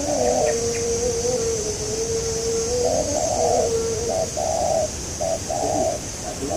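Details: Spotted doves heard during trapping of a local wild dove. Two birds overlap: one gives a low, drawn-out purring coo while the other answers with short, hollow notes, over a strong steady hiss.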